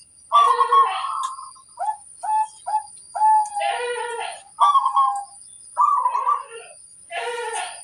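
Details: Local zebra dove in full voice, described as the loudest voice that draws answers from other birds; clear cooing phrases near mid pitch, rich and harmonic, with short clipped notes between longer rolling coos, and a steady high electronic whine throughout.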